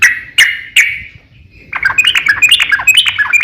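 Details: Lure recording of a yellow-vented bulbul for drawing a singing reply: three loud separate chirps, a short pause, then a busy burst of jumbled, warbling notes.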